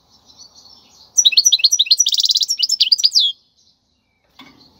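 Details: European goldfinch, described as wild, singing a tutoring song for young birds: one quick burst of high liquid twitters and a buzzy rattle lasting about two seconds, with faint soft sounds before and a brief click after.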